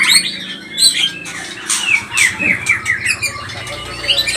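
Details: White-rumped shama (murai batu pastol) in an excited provoking song: high whistles and repeated downslurred notes mixed with raspy, noisy bursts, over a continuous low hum.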